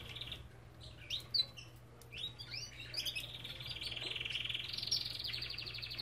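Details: Belgian canary song from an aviary: scattered bright chirps and short slurred notes give way to fast, rolling, buzzy trills held high and steady for the last few seconds, over a constant low electrical hum.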